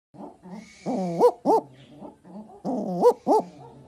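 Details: Owl giving dog-like "woof woof" calls: low, harmonic, barking notes with two loud rising, upslurred hoots in a pair near the middle and another pair near the end, separated by softer grunting notes.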